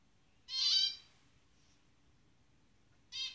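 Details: Zebra finch pair in the jungle, one loud nasal harmonic call followed after a long pause by a second call cut short, quiet background otherwise.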